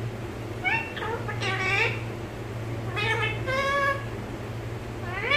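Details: Home-kept parrot talking in Malayalam: several short voiced phrases with rising and gliding tones and bright overtones, spaced by brief pauses, ending on an upward sweep, over a faint steady hum.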